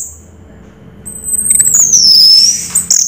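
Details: Orange-headed thrush in 'raja teler' style, giving a thin high note, a short quiet, then a long, very high whistle that slowly dips and wavers.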